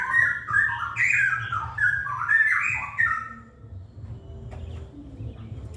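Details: A wild straw-headed bulbul delivers its 'ropel' song, a fast, loud burst of bubbling, liquid whistles rising and falling for about three seconds, then fading out, leaving low rumble and a faint steady tone.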